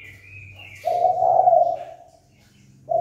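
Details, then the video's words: Spotted dove calling to provoke a fight: a higher thin bird note comes first, then one long, steady low coo of about a second, and another coo starts at the end. "Cu gáy chơi cực hay kích bổi đấu ngay!"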